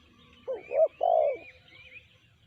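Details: Spotted dove (tekukur, BL type) cooing once: a brief soft note, an upward-hooked coo and a long sustained coo, while thin whistles of other birds sound higher up.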